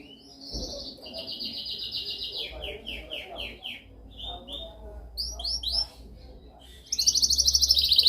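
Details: Canary singing a dominant training song: a buzzy trill, a run of five falling whistled slurs, scattered chirps and sweeps, then a loud fast high trill at the end, over a faint low hum.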